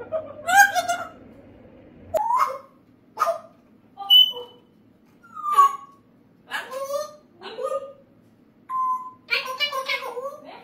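A parrot talks in short mimicked word bursts with squawky, nasal tones and a few whistled notes, roughly every second, in a quiet room.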